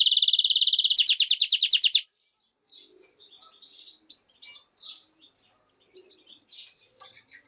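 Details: European goldfinch × canary hybrid giving a two-second high trill that quickens into sharp repeated pulses, then only faint soft chirps and twitters.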